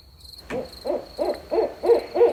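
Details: Barred owl hooting at night gives a quick run of six hollow, arching hoots, one every third of a second, over a steady high insect drone.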